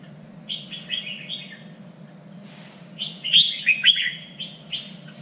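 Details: Red-whiskered bulbul contest song used to train singing birds: a string of short whistled notes, a brief pause, then a louder cluster of rapid warbling whistles and chirps, with a low background hum.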